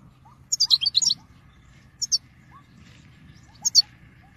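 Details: European goldfinch in 2022 giving its call-song: a fast, jangling twitter burst, then paired high chirps at spaced intervals, with faint rising whistles beneath.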